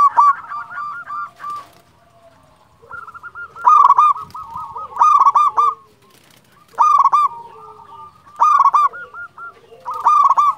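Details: Local champion zebra dove singing, a recording intended to lure and provoke other doves. Loud cooing bursts follow a quieter opening, recurring every one and a half seconds, backed by repeated softer rolling coos.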